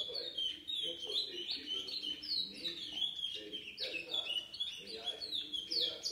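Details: Song of a seven-month-old chestnut-bellied seed finch, recorded 4 August 2019. It has clear whistled phrases, each slurring down then up and repeated about once a second, with a low murmur underneath.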